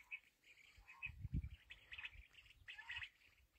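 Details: Black francolin (kala teetar) calling: short grating, scratchy phrases repeated at irregular intervals, set against a low rumbling background noise.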